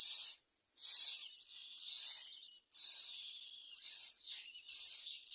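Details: Common myna baby birds in the nest screaming for food; piercing, breathy high screeches pulsing about once a second, with a faint thin squeal linking the bursts.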